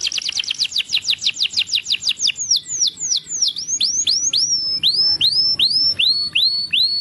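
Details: Belgian canary song used to train young birds: fast repeated downward-sweeping trills, then slower curved whistled notes, about three per second, clean and clear.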